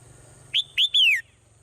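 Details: Swallow singing in the morning: three clear, loud whistled notes, each sliding down from high to lower pitch, the last one longest, over a quiet low hum.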